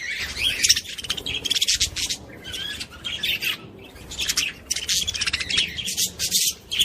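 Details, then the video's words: Budgerigars warbling to stimulate other budgies, rapid buzzy chatter in bursts of one to two seconds separated by brief quieter gaps, with sharp squeaks mixed in. "صوت بادجي لتحفيز طيور البادجي"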